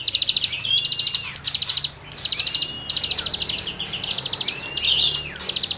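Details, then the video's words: Energetic cigun song for songbird tutoring, made of many short bursts of rapid, high-pitched rattling chirps, each burst lasting about half a second, with faint slurred notes between. "CIGUNG GACOR FUL NEMBAK MATERI GESEKAN BURUNG KICAU"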